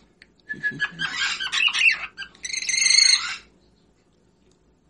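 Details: Pet cockatiel, whiteface pearl, warbling its song: scratchy chatter and squeaks broken into two uneven phrases, the second ending in a sustained nasal whistled squeal, then quiet.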